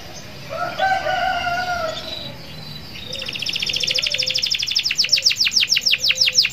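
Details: Canary singing to draw other canaries into song: soft low whistles at first, then a rapid rhythmic trill of crisp downward notes gradually widening and slowing, with steady background hiss.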